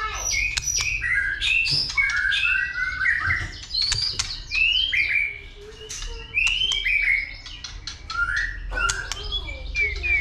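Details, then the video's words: Caged white-rumped shama male in fighting song, stimulated by a female: varied whistled phrases and rich warbles between 1 and 5k, interspersed with sharp clicks and tail-snapping ticks, bursts every couple of seconds, low background hum. "Chòe lửa kích lửa DÌU BỔI,tạch liên tục đập đuôi kích chòe lửa lên lửa hót đấu"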